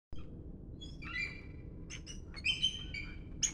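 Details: Bald eagles calling on a morning walk: thin, high whistled notes and short piping chirps come in scattered bursts over a steady low background rumble.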